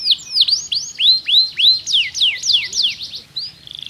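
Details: Pocong-style canary song, used to stimulate a quiet canary into singing: about a dozen loud swooping notes, some rising, others falling, three per second, closing with a soft fast buzzy trill.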